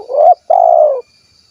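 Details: Close spotted dove coo, kuk 1 style, from Cilacap, Central Java: the end of a swelling first note, a brief break, then a long even burry coo tailing off, over a faint steady high hum.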